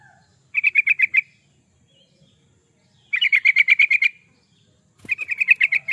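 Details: Lively yellow-vented bulbul song meant as a lure or training master: three brisk bursts of quick, evenly spaced bubbling notes, each under a second long, separated by clear pauses, with one faint thump near the end.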